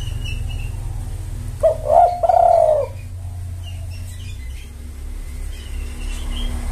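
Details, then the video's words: Spotted dove coos played to call in males: a single short burst of three throaty, slightly wavering coos in quick succession, with faint chirping of other small birds around it and a low hum. "Pancingan Tekukur Memanggil Pejantan"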